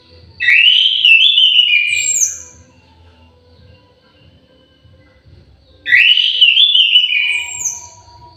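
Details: Two song phrases from a captive orange-headed thrush in an aviary, about five seconds apart. Each opens with a rising swoop into fluty warbling and ends in thin high notes, with quiet room hum between.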